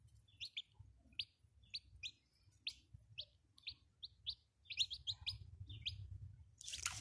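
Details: Young chickens cheeping steadily: a run of short, high, downward-sliding peeps, some doubled, coming every half second or so, ending in a brief noisy rustle.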